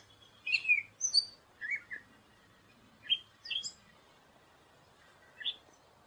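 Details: Song of a gray catbird: short, separate chirps and squeaky slurred notes, varied in pitch, delivered irregularly with gaps of up to two seconds, a near-silent background behind them.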